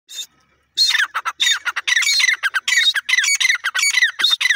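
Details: Grey francolin calling: loud, harsh, squawky notes given in a quick rhythmic series, each note rough and slightly descending, after a brief quiet start.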